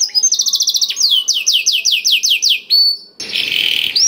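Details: Kenari isian blackthroat singing to stimulate other canaries: quick stuttering trill, then a string of loud clear downslurred whistles about four per second, a short pure note and a closing rasping buzz.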